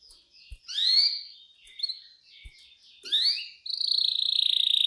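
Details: Clear-voiced canary in cengkok mewah style, used as a master song for young canaries learning to sing: varied warbled phrases with rising upslurred sweeps, short chattering notes, then a steady rapid high trill.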